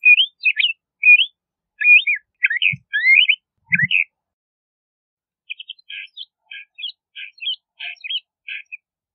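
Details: LeConte's thrasher delivering sharp, jumping whistled notes in a fast string, then after a pause a softer, quieter series of short clipped notes.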